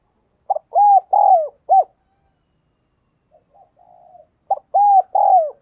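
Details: Lure spotted dove cooing and calling: two loud phrases of short and drawn-out mellow hoots, separated by a pause with a soft, low murmur between them.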